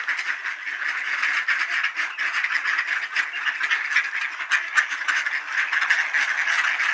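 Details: Many ducks gather for supper at Sainte-Adèle, Quebec, Canada, on a partly cloudy 20°C afternoon, 9 November 2020, 3:27 PM; a dense, continuous chorus of overlapping quacks and chatter that never pauses.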